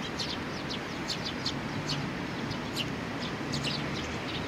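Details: Sparrows and a chick on 3 July 2019 chirping in quick high notes, spaced irregularly, partly masked by a loud broadband hiss.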